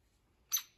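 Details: At Lake Bellaire on 5/20/22, an unhappy female hairy woodpecker squeaks her displeasure at slim pickings, giving a single sharp, high, piercing squeak over an otherwise quiet background.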